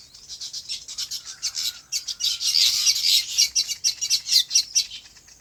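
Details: Birds chirping in their natural farm habitat: rapid, pulsing high-pitched twitters that build into a dense chatter midway, with a faint thin whistle in the background.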